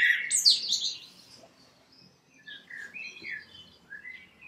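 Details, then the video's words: A common blackbird sings a loud, high twittering burst, then a few softer, mellow fluted phrases at a leisurely pace. "Vogelgesang der Amsel"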